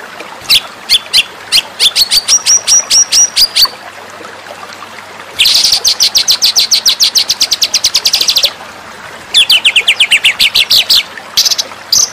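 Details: White-rumped shama song from a master recording meant to tutor contest birds: three bursts of rapid, high, clicking trills, each lasting one to three seconds, separated by short pauses.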